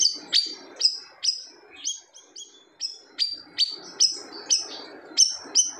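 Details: Siri-siri bird pouring out its loud song, said to leave other birds silent: crisp, high, whip-like notes sliding down in pitch, repeated irregularly about two to three per second.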